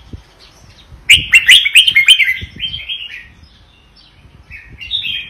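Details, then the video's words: Red-whiskered bulbul from Vietnam delivering a lively double-style song meant for copying: one loud, rapid run of bubbling warbled notes, then a softer trailing warble, and a quieter phrase near the end. "นกกรงหัวจุกเวียดนาม ร้องเบิ้ล!! ร้องมัน"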